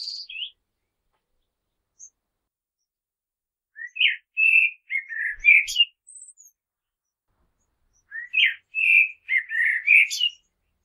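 Common blackbird singing two mellow, warbled phrases about four seconds apart, each rising into a higher twittering finish, with quiet pauses between.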